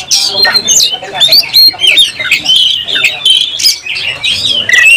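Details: Oriental magpie-robin in full fighting song, tail spread and worked up; bright, varied whistles, squeaky chirps and rapid chatter follow one another without pause, with frequent sharp clicks.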